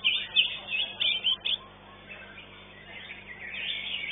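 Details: Greater green leafbird, a caged first-place winner at a songbird contest, gives loud bright chirped phrases in quick bursts over the first second and a half, then softer high chatter continues from other birds in the background.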